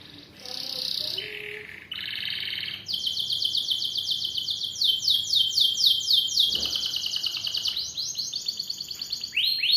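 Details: Long-duration Atlantic canary song used as tutoring material: high buzzy notes, then an extended rolling trill of rapidly repeated descending notes continuing for several seconds, ending in quick rising chirps.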